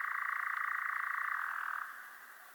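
A European Nightjar gives its dry, mechanical churr: a fast, even, rattling trill held steady for nearly two seconds before it cuts off.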